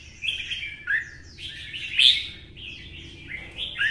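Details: Red-whiskered bulbul kept by bird fanciers, provoked into a heated fighting song in the twisting-voice style; lively gurgling, whistled phrases run almost continuously, with a louder rising flourish midway and soft background hum.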